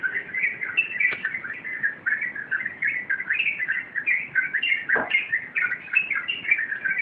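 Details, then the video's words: Sooty-headed bulbul in full rompelan song, pouring out loud, tightly packed warbling phrases without pause, with one sharp click partway through. "Suara Rompelan Burung Trucuk"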